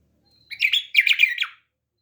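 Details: Pet bulbul delivers one quick, chattering phrase of about a second: a jumble of bright warbled notes that ends in a short downward slur. The background is silent.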